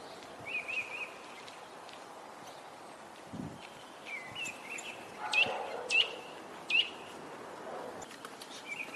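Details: At a nest in Parque das Pedras Salgadas, Vila Real, on 2 April, a Eurasian nuthatch repeats piping whistled notes through the clip. A few sharper, louder notes come in the middle, with soft knocks and background hiss.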